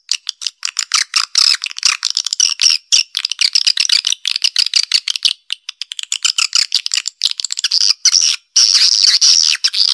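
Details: Swiftlet calling sound, "Black Panther" style, used to attract swiftlets into a nesting house's central area: rapid rattling chirps at about two per second, high and dry, rising into a steadier shrill twitter toward the end.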